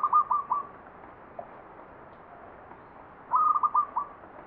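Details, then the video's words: Zebra dove (perkutut) singing in the Mataram Jogja style, called ngepat: two bursts of a whistled, stuttering coo phrase, a clear note followed by quick repeated notes, set against steady low background hiss. "SUARA PERKUTUT NGEPAT PAKEM MATARAM JOGJA"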